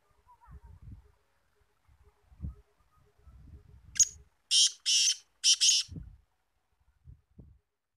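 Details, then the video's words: Black francolin, a kept bird checked after winter rest and feeding, breaks in with a sharp note and then three harsh grating bursts close together. Low thumps and rustles come before and after the call. "BLACK FRANCOLIN KALA TEETAR VOICE"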